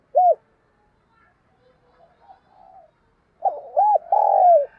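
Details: Decoy spotted dove in intense cooing: one short arched coo, a quiet stretch with faint soft murmurs, then a loud phrase of clipped hollow notes running into a long, drawn-out coo and a brief closing note.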